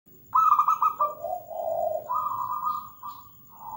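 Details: Zebra dove, a local perkutut, singing: a stuttered burst of soft cooing notes, then a lower drawn-out coo and a longer mid-pitched purring phrase.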